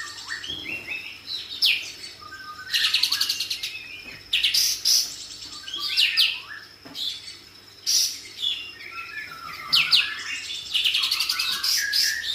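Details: White-rumped shama master song with varied phrases, fast high trills, whistled slurs and chattering bursts alternating with short gaps, over a steady low hum.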